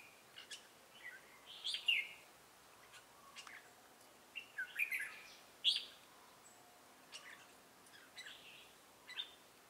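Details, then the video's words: Trap decoy red-whiskered bulbul singing 'Ché' style song, Bình Phước, 25 June 2018: short liquid warbled phrases spaced every few seconds, some louder than others, amid light clicks and background hiss. "Bẫy chào mào Ché cười"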